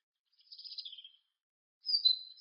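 A great tit gives a quick burst of high, thin notes that slip downward, then a clear, bright whistled phrase after a short pause.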